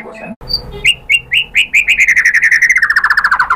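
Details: White-rumped shama song used as a lure to draw other shamas into singing: a rapid run of sharp chirps near two kilohertz that speeds into a fast descending trill, preceded by a few soft notes.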